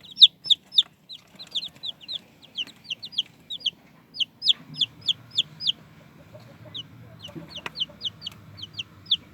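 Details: Young chicks cheep steadily, bright high peeps repeated about three to four times a second in irregular runs, over soft low rustling and scratching.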